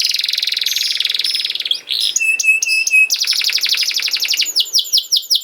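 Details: Song of a canary used to prompt young canaries to start singing: a fast buzzy trill, clipped metallic notes and a flat whistle, then a rolling rapid trill ending in quick falling sweeps.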